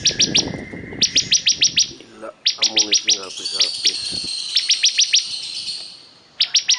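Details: Bar-winged prinia, or ciblek kristal, giving rapid bursts of high, sharp clicking notes and a thin buzzy trill, with lower chattering notes from another bird partly overlapping in the middle.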